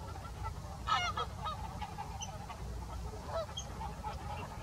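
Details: Flock of greater white-fronted geese, Salford Priors gravel pits, 9 January 2021; a loud burst of laughing, yelping honks near the first second, then scattered fainter calls from other birds above a constant low rumble.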